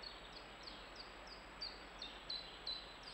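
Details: European robin recorded 11 June 2021, giving short, high, sharp call notes repeated about three times a second over steady background hiss.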